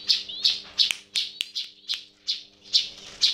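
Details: Sooty-headed bulbul making an unusual sound: a string of short, sharp high chirps, roughly three each second at uneven spacing, with a faint steady low hum behind.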